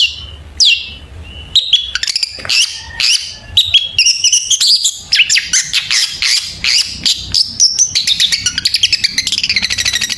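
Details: Long-tailed shrike in lively song packed with varied fill-in phrases, played as a lure to get shrikes singing: a dense, fast run of high chirps, whistles and slurred notes that grows busier and almost continuous toward the end.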